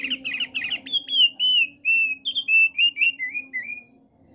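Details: Male thick-billed flowerpecker singing: a quick burst of chattering notes followed by a run of clear, slightly descending whistled phrases, each short and sliding, with a faint low hum underneath.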